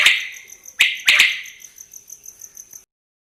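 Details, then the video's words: Quail giving three sharp, harsh calls in quick succession that fade out, followed by a steady high pulsing buzz and then silence. "Pake Batair ki awaz"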